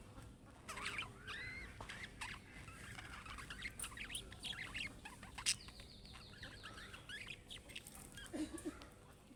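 Budgerigars chatter in quick, scratchy warbles and squeaky chirps, several birds calling over one another.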